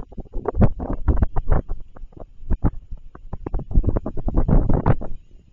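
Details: Deep rumbling and dense, irregular thumps and knocks, like wind buffeting or handling noise, with no animal voice heard.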